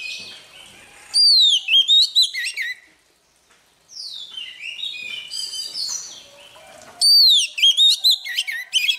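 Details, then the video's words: Wild-caught Oriental magpie-robin warming up its voice in the morning. Loud whistled phrases sweep down from very high notes, then break into rapid chirpy trills. A softer warbling passage follows a short pause, then the bright whistles return. "Choè than bổi lên hót luyện giọng lên lửa mỗi sáng"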